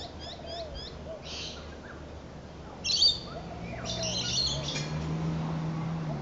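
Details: Spangled drongo recorded on 26 July 2011: soft chirps early on, then harsh, noisy, scratchy bursts near the middle and a longer rasping phrase after, over steady low background hum.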